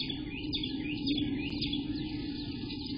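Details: Eastern Bluebird nestlings on day 11, 17 June 2021, between morning and early afternoon, give thin, high, overlapping chirps in a near-continuous stream over a steady low electrical hum.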